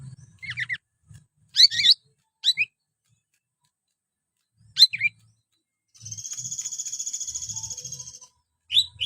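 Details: Greater green leafbird (cucak ijo) singing: short bursts of sharp, quick chirping notes separated by silences, then a long even buzzy trill lasting about two seconds, with faint low thumps in the background.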